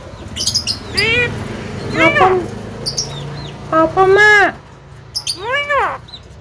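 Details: Household Javan myna that imitates coughing, laughing and calling to girls: a string of arched, speech-like syllables in bursts, with short sharp clicks between them and soft music in the background.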